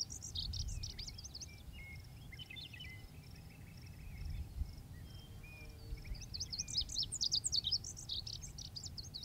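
A male Lazuli Bunting sings two quick, high, jumbled phrases of sweet and buzzy notes, one at the start and one near the end, over a low steady rumble and faint whistles.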